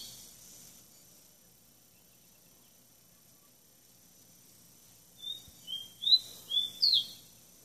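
After a long quiet stretch, a tropical bird gives a quick run of five high, clear whistled notes, each slurred, the last swooping sharply upward.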